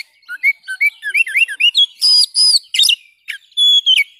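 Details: Oriental magpie-robin (kacer) singing energetically: quick, twisting whistles rise in pitch, then harsh buzzy notes, and the song closes with a long, clear, steady whistle.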